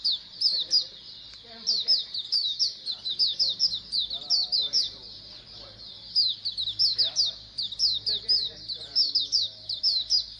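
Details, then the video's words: Group of Oriental white-eyes chattering as a colony, used to encourage birds to sing often: a long run of high, thin, quick chirps in bursts, overlapping throughout, with soft low background sounds faintly heard. "Pleci Koloni agar BUKPAR AGAR RAJIN BUNYI"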